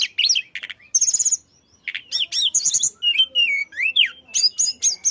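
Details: Flycatcher in full, energetic song, used to prompt other birds to sing: rapid high chirps, rising and falling whistled slurs and buzzy trills in quick bursts, with brief pauses.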